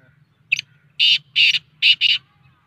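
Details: Black francolin (kala teetar) giving its excited 'masti' call: one short clipped note, then four loud, harsh, grating buzzy notes in two pairs, each about a quarter second long, over a faint low hum.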